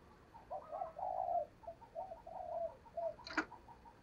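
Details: Spotted dove kept as a trapping lure: a soft, continuous run of low coos with a sharp click near the end over faint hiss.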